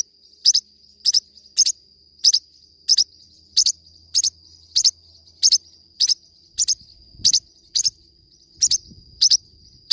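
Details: A Forpus parrotlet chirps steadily, about sixteen sharp paired high notes in ten seconds, nearly evenly spaced, over a constant thin whine and faint low background noise.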